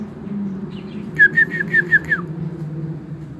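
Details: White-rumped shama kept in an aviary: six clear, repeated whistled notes in a short run, the final one sliding down, over a steady low hum.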